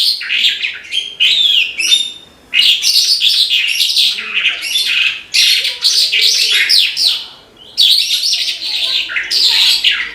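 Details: Horsfield's bushlark (branjangan) singing gacor, in full voice: a dense, rich run of high, varied chirps, trills and whistled phrases in long bursts broken by short pauses near 2.5 and 7.8 seconds.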